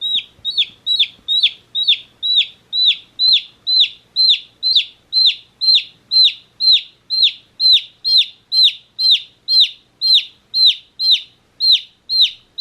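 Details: Baby chicks one day old chirping in a steady, insistent series of high, sharply descending peeps, roughly two per second without pause, on a clean quiet background.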